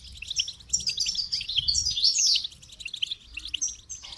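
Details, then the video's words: Dense goldfinch twittering: high, rushing chirps and buzzy trills merging into a loud tangled phrase midway, over a low background rumble. "Motivating Song of the Goldfinch"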